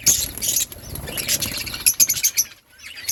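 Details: Outdoor colony of budgerigars giving high twittering chirps and short squeaks, dense at first, then a run of quick notes before dropping off.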